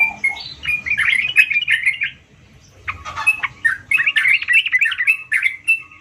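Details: Sooty-headed bulbul delivering gacor song in two bursts of fast, warbling chirps separated by a short quiet gap, the notes bright and jumbled, about four per second.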